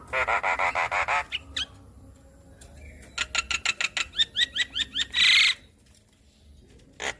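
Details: Asian pied starling song played as therapy to make a stressed bird sing: a run of loud harsh rasping notes, then a series of sharp clicks and rising whistled chips, ending in a brief noisy burst.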